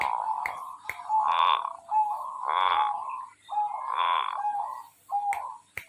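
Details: Zebra dove singing steadily: a series of soft, mellow cooing phrases, each a low hum that swells into a louder rolling coo, about four phrases over six seconds, with faint clicks in between.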